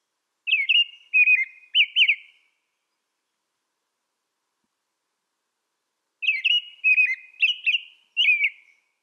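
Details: American robin song in two bouts: three caroling whistled phrases, a long silence of nearly four seconds, then four more, each phrase sliding and warbling; no other sounds.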